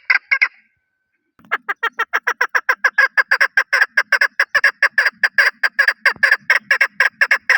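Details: Chukar partridge of Pakistan: three quick clucks, a one-second hush, then a steady string of about twenty-eight loud chuk notes with a faint low murmur underneath.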